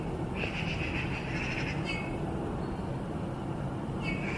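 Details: A Eurasian bullfinch on a maple gives soft, low piping whistles, a drawn-out note followed by two short ones, over a steady low rumble of background noise.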